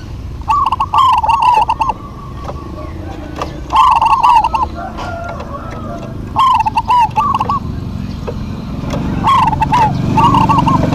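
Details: Duetting local zebra doves give four bubbling, trilled cooing phrases spaced a few seconds apart, each a quick stuttering run of notes, accompanied by crisp clicks and a low rumble.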